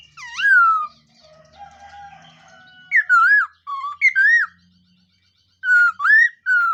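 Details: Black-throated laughingthrush morning voice training, with loud falling whistles and wavy, up-and-down whistled phrases in short bursts, separated by quiet pauses and some soft background murmur.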